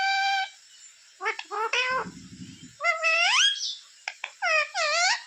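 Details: Pet parrot saying words for mummy and roti: a flat harmonic tone opens, then stuttering short syllables, a low buzzy human-like murmur, and rising, bending phrases. A steady high hum sits in the background.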